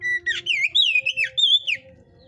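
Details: Caged Oriental magpie-robin, hot type, from a breeder's aviary: a steady whistle, then rapid varied whistled notes rising and falling in a lively phrase, fading into quiet hum.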